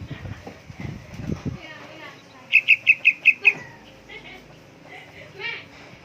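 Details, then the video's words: Low rustling and murmuring sounds, then a young yellow-vented bulbul in full voice gives six quick, bright, high chip notes in an even row, followed by softer chirps. "Burung trucukan anakan gacor"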